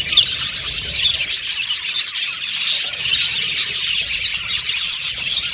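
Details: Colony of budgies warbling and chirping in an aviary, a steady, even stream of overlapping high tweets without pause.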